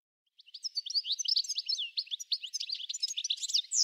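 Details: European goldfinch starts after a short silence and runs into a lively, unbroken stream of high, tinkling chirps and twittering notes.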